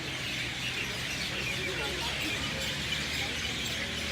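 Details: Many birds roosting in a banyan tree in Lahaina, West Maui, at sunset, chirping together in an unbroken, noisy high-pitched chatter with no single voice standing out.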